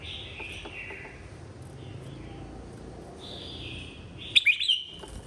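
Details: Red-whiskered bulbul singing competitively, 2023: sliding whistles, then an abrupt loud phrase of several sharp, liquid notes tumbling together near the end.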